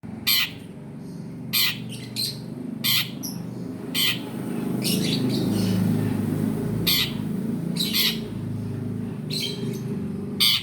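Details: Long-tailed shrike sound used to coax a caged bird that has stopped singing into song: loud, harsh, broadband squawks in short bursts every second or so, over a steady low hum.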